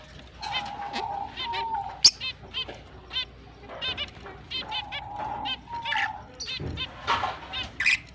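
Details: Finches at the start of the mating season, recorded October 29, 2023, giving a busy chorus of short nasal honking chirps, several birds overlapping, with quick clicking note bursts and a few sharper high squeaks.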